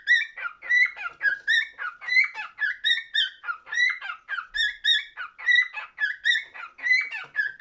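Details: Singing cockatiel in a small room, giving a continuous chain of clear whistled and slurred notes, each burst rising then dipping, spaced roughly every half second.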